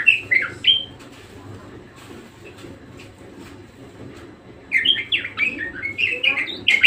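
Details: Budgerigar song in bursts: a few chirps open, then almost four seconds of near quiet, before rapid twittering warble notes return strongly toward the end.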